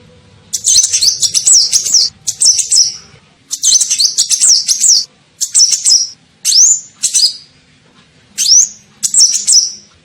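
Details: Sunbird (kolibri ninja) lure call for attracting birds: repeated bursts of high, sharp, wavering chirps, about one to two seconds each, with occasional single upslurred notes and short silences between.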